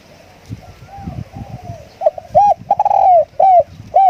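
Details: Luring call of a decoy spotted dove: soft background murmur at first, then a burst of clear arched coos, one stuttered and drawn out, followed by two more rounded hoots.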